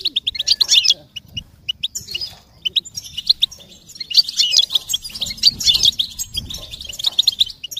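An American goldfinch sings a high, rapid twittering of bright chirps, delivered in two lively bursts with short pauses between.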